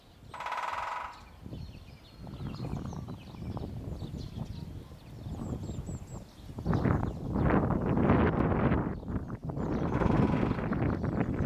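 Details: A great spotted woodpecker drums on a tin sheet to amplify its sound, giving one short, very fast roll on ringing metal, under a second long, followed by low rumbling wind and outdoor noise.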